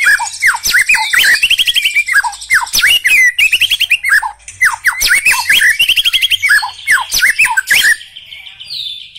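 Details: A black-legged white-rumped shama sings loud, clear whistled phrases. Falling and rising notes are strung into quick series, with rapid trilled runs between them, all continuous for about eight seconds.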